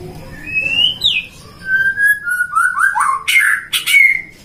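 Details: Captive-bred white-rumped shama from Depok, Indonesia, singing energetically: a rising whistle, a sharp upward flick, level fluted notes, then quick stepping phrases ending in harsh bright bursts and a falling whistle.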